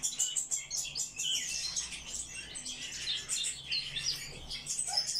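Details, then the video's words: Eurasian blackcap giving a lively run of bright, tumbling notes and short whistles, phrases pulsing in quick bursts with other small birds twittering alongside. "Славка - черноголовка - Sylvia atricapilla"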